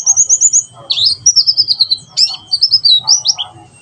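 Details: White-eye in 'tembakan sejalur' song, a master for young birds: quick rippling high trill, then thin level and rising whistled phrases and sharp slurs, with a low murmur underneath.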